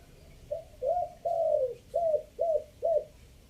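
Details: Decoy coo of a spotted dove from Chiang Mai in a three-note style: six mellow hooting notes in about two and a half seconds, the third drawn out longest, on a quiet background.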